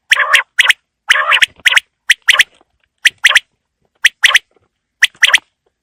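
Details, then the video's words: Quail heard on a cold winter evening, calling in a brisk run of sharp, clipped notes in pairs and triplets, some roughened with buzzy undertones, steadily repeated about once per second. "Quail Calling Sound For Winter | Baiter Ki Awaaz Sardiyon Ki Sham K Leya | بٹیر کی آواز سردیوں کیلئے"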